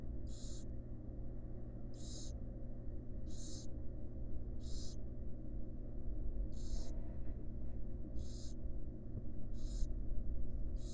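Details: Wild barn owl family in a nest box, the mother resting with her young; loud breathy hiss bursts come in an uneven series, some close together, over a steady low-pitched hum.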